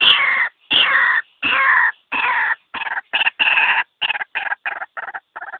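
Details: Single white-breasted waterhen call used as a trapping lure: harsh, nasal croaks, starting with long notes that grow shorter and quicker, about fourteen in all.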